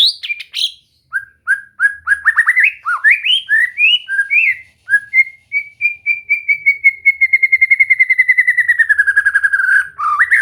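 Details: White-rumped shama (murai batu) song for relaxed singing training: a string of short rising whistled notes gives way to a long, fast, even trill of clear notes that slowly drops in pitch over several seconds.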